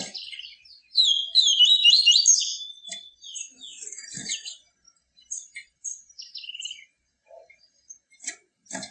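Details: Yellow-bellied seedeater in captivity giving the 'tui tui viviti' pure song. A loud, fast, chattering burst opens the clip, followed by softer scattered twitters and thin whistles, with a few faint clicks.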